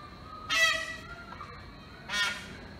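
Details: An Indian peafowl perched on a pole gives two loud, nasal, trumpeting cries about one and a half seconds apart, with quiet background hiss between them.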